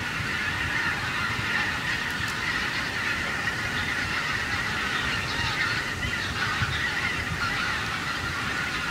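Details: Large flock of wild geese over a harvested cornfield, unbroken chorus of honking for nine seconds, individual nasal calls blurring together, with low broadband rumble beneath.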